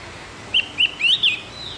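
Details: Javan grey-throated white-eye song played in the morning to train captive birds to sing: four short, clear whistled notes, slurred and rising, in quick succession over a quiet background.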